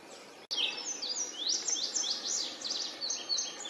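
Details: Yellow warbler in the wild. After a sharp click, it delivers a long, bright stream of high, quickly slurred notes with short breaks for over three seconds. Soft natural hiss underneath.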